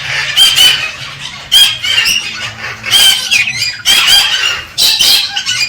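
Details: Galah calling to stimulate the female: about five loud, scratchy screech bursts roughly a second apart, harsh and wavering, with brief silences between.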